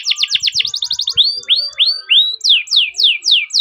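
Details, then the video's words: Canary's long rolling lure song for training other canaries: fast repeated descending notes, then slower rising whistled slurs, followed by descending swept notes repeated about three per second. "Masteran Suara Burung Kenari Ngerol Panjang cuit cuit untuk Pancingan Kenari"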